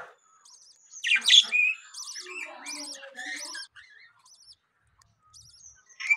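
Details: Budgerigars at home with newly hatched chicks: a loud harsh squawk near the start, then a run of rapid stacked buzzy chirps and lower warbling notes, tailing off into faint high tweets.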